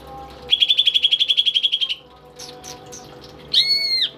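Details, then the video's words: A tame, actively singing pet greater green leafbird delivers a fast, steady trill of about fifteen pulsed notes, followed after a pause by a single long, pure whistle that slides down at its close. "BURUNG CUCAK IJO gacor dan jinak cocok buat masteran burung isian nih!"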